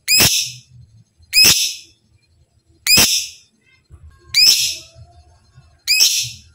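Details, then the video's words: Captive lovebird used as a training model for kept birds: five loud, harsh, piercing shrieks, each short and rasping, repeated roughly every 1.4 seconds, with soft low rustling between them. "Masteran Lovebird Cepat Gacor, belajar ngetik Ngekek"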